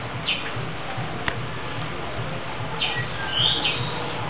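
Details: Young Senegal coucals, chicks around one month old that were raised after their nest was destroyed; a short high chirp opens, then a brighter squeaky burst of chirps near the end, with constant low humming behind.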